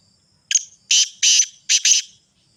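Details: Sindhi black francolin calling a single harsh five-note phrase: a clipped first note, two drawn-out grating notes, then two run-together rasps, all loud and buzzy against a quiet background.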